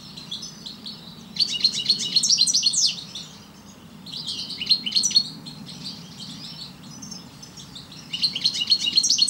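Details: A parva European goldfinch delivers three phrases of rapid, bright twittering with buzzy trills, each lasting one to two seconds and separated by quieter soft chatter.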